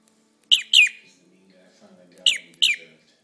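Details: A 5-month-old male cockatiel gives two pairs of loud, scratchy, downward-sliding chirps, which the owner says are him saying his name, "Jim", with soft murmuring in between.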